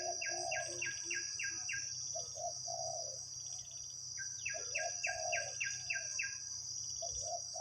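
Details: Deep-voiced wild spotted dove answering during decoy trapping: two groups of soft low coos, each alongside a series of sharp repeated chirps from another bird, over a constant high insect whine.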